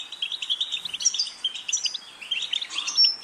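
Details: ['Bright jangling twitter of a European goldfinch, tumbling chirps mixed with thin high whistles and brief buzzy trills in one lively unbroken stretch.']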